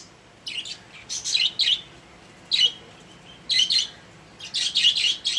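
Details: Pet budgerigars kept in a cage, scattered groups of bright scratchy chirps separated by brief silences, a busier cluster at the end.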